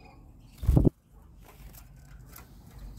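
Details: A single short scraping rustle indoors, followed by quiet room hiss; no animal voice.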